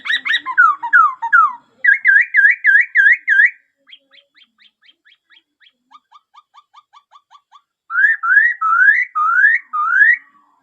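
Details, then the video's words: Laughingthrush song in varied bursts: tumbling descending notes, then quick runs of repeated whistles, a pause with soft ticking notes, and a final series of rising slurred phrases. "Tiếng chim khướu hót hay nhất"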